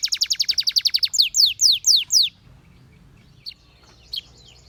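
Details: Canary song for training: a quick run of a dozen sharp descending notes, then five slower swooping whistles, then near silence with two faint chips.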